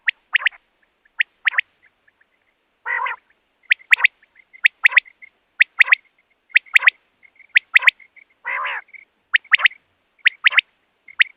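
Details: Common quail call used as a trapping lure. Sharp three-note phrases repeat steadily about once a second over eleven seconds, with faint soft whistles between them and two harsh nasal bursts.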